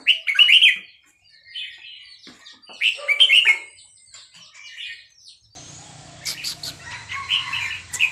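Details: Burmese-type red-whiskered bulbul at Dan Singkhon giving repeated chirpy warbled phrases, each a quick burst of rising and falling whistles. Pauses separate the phrases, and a low background hum and faint clatter enter in the second half.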